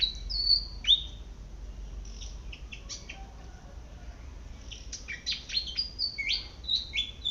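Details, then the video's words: High sharp squeaks from a Malaysian pied fantail foraging in a garden, a short burst at the start, a quieter gap, then a lively cluster of rising and falling chirps. "เสียงนกอีจู้ หรือ นกอีแพรด ร้องหากินในสวน"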